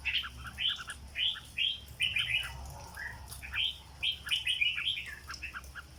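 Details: Caged red-whiskered bulbul singing in the 'rong dok' song style. Bright, bubbly whistled phrases of three to five quick notes are repeated about every second, with brief pauses between them and a constant low background hum.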